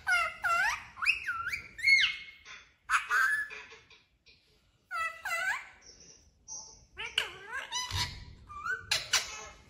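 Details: Talking pet parrot repeating "mummy papa" indoors: quick, high-pitched, speech-like syllables with dipping and rising tones, delivered in short phrases separated by brief gaps, with faint background hiss.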